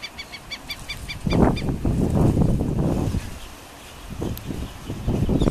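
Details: Black-necked stilt giving a quick run of sharp, nasal yapping notes for about a second and a half, after which heavy low rumbling from wind or handling takes over, with a few faint notes later.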